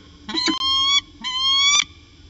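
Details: A peregrine falcon of a pair at Orange, 13 January 2019, afternoon, giving two long, steady, slightly rising harmonic wails, each about half a second, opened by short stuttered notes.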